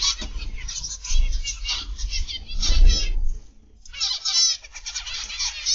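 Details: Zebra finches in an aviary produce bright, rapid nasal chatter from several birds at once, then a short near-silent pause before the twittering chorus resumes.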